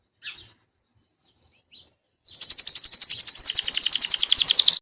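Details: Belgian king canary in rapid song: a lone chirp, a short pause, then a dense high trill of quickly repeated notes lasting over two seconds, shifting slightly in pitch before stopping abruptly.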